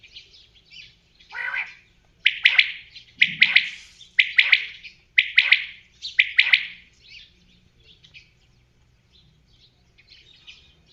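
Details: Common quail calling: a series of sharp three-note bursts, each a quick dry 'pik, pik-pik', repeated about once a second for several seconds before fading, with quieter chirps before and after.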